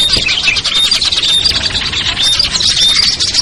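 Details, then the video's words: Lure sound for small birds (ciblek, kutilang, trucuk, sogon, perenjak) used to bring down wary birds; busy overlapping high twittering with sharp whistled notes and squeaks, steady and unbroken. "SUARA PIKAT BURUNG KECIL burcil AMPUH"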